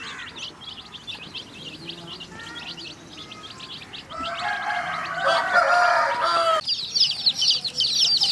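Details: Colored chicks peeping as they feed among hens: soft, high cheeps at first, then a loud, drawn-out harmonic call cuts in for about two seconds before the shrill chick chorus returns louder.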